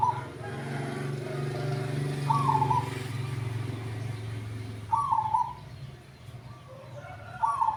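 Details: At a bird kiosk, a fairly old zebra dove chosen for its deep voice gives three short, trilled cooing phrases about every two and a half seconds over a steady low hum of traffic.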